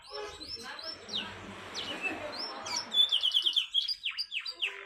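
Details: Canary's fast, tight song with unique turns, used to stimulate lazy canaries and as a master song for learners. Gliding whistles and buzzy notes lead into a bright rapid trill, then quick descending swoops.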